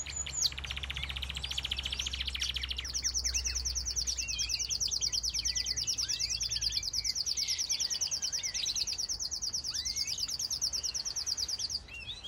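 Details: Black siskin (Spinus atratus) sings a continuous, high twittering song of rapid buzzy trills and quick slurred notes, about three a second, with a low hum briefly at the start.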